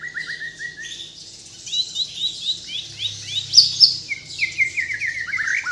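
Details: White-rumped shama from Kalimantan, Borneo, in vigorous isian-filled song: opening slurred whistles, then fast runs of high, sharp descending chirps repeated about four per second, with a few bright high notes.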